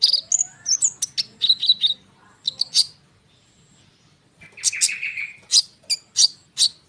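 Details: Konin bird singing a dense rolling song, used as a lure to make sunbirds respond: bursts of sharp high chirps and thin whistled notes, then a pause, then a buzzy rising trill and more rapid chirps.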